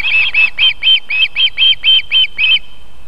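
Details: Osprey at a nest in Võrumaa, South Estonia, near a river and fish farm, on 31 July 2021 at 19:51, while the female feeds her young, gives about ten high, sharp whistled chirps, roughly four per second, over a faint rumble.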